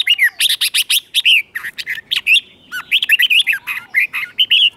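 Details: Caged red-whiskered bulbul singing the doubled 'bueng' style song, played for young birds to copy: dense run of bright, clipped whistled notes, rising and falling, in quick bursts with only brief pauses.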